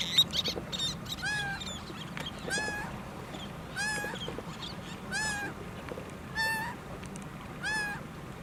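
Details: Laughing gull in the United States, one-legged, calling on and on: a series of nasal, arching cries spaced a little over a second apart, with quieter short notes between over a steady low background hum.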